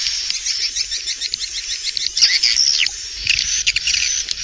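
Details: Within a productive swiftlet building, many swiftlets give fast dry ticking and twittering notes over a steady hiss, with brief louder chirps.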